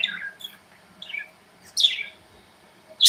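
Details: Pet budgerigars in a cozy indoor aviary give a few short, bright chirps and warbled squeaks, spaced irregularly with quiet gaps, the loudest two near the end; no other clear sounds.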